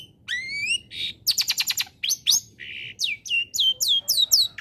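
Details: Energetic long-tailed shrike song combination played to coax silent shrikes to join in: rising whistles, a rapid train of harsh stacked pulses, a flat buzzy note, then repeated upslurred whistles about three per second.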